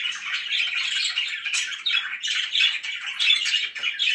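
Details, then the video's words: Very happy pet budgies giving harsh squawky chatter, a rough nonstop run of grating, buzzy notes with slight swells in volume. "VERY HAPPY BIRDS"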